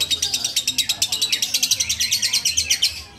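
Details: Lovebird being held and carried, calling in the ngudang style: a fast, steady run of sharp, high chirps, roughly eight per second, with slight buzzy rises and falls through the three-second burst.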